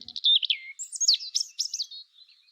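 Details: A tit (synychka), a wintering bird, gives high, thin notes: a slurred whistle falling in pitch, then a quick run of bright chirps and twitters over about two seconds.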